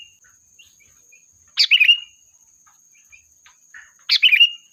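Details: A sooty-headed bulbul's lively lure song, meant to call the flock. Two fast chattering bursts, each closing on a short whistled note, come about two and a half seconds apart. Soft scattered chirps and a thin constant whine fill the gaps.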